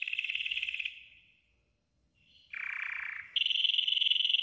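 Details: Yellow golden canary singing a training song: a buzzy trill fading to a short pause, then a low rolling tour and a clear high fast trill.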